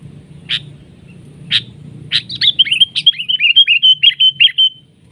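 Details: Sooty-headed bulbul clashing with a decoy bird at a trapping site; three loud, sharp notes about a second apart lead into a fast series of about a dozen bright, bouncing chattered notes that fade out.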